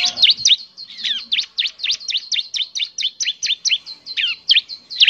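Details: Bar-winged prinia singing as a lure: a sustained, even series of high, sharp, downward-flicking chirps, several per second, clear against a quiet background.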